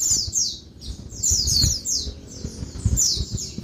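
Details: Female Oriental white-eye, noisy daytime calling meant to make males sing: quick, irregular series of high falling chirps, about forty bursts a minute, with faint low bumps underneath.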